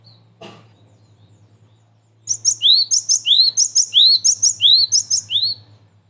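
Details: Cinereous tit lure recording gives a bright, ringing two-note phrase, a high thin note then a lower sliding one, repeated quickly about ten times, over a low steady hum.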